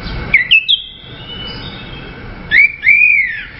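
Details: Orange-headed thrush giving clear whistled notes: a brief opening phrase of sharp rising whistles, a pause, then a long arched, sweet whistle that swells and fades.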